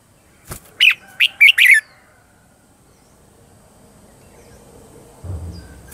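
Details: Red-whiskered bulbul lure song used to train birds and attract wild birds: a short burst of four sharp, bright whistled notes near the start, then near silence with a faint low thump at the end.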